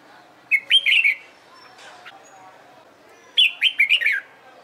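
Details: Red-whiskered bulbul trained for singing contests, producing two quick warbled phrases of sliding whistles and high clicks about three seconds apart, with a few soft chirps between.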